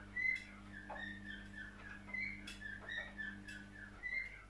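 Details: Cockatiel singing: a run of clear whistled notes, some short and rising, others held, with faint harmonics above, over a steady low mechanical hum.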